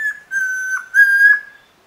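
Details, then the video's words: Chestnut-crowned antpitta from Alto San Miguel giving steady, level whistled notes: a clipped opening note then two long pure whistles of even pitch, fading to silence. "Guía Sonora de Aves - Alto San Miguel: Grallaria ruficapilla, Tororoi Comprapán"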